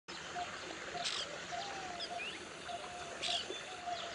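Coppersmith Barbet giving soft, hollow low 'tuk' notes at a steady, metronomic pace, about two a second, with other birds chirping and a few rustling bursts.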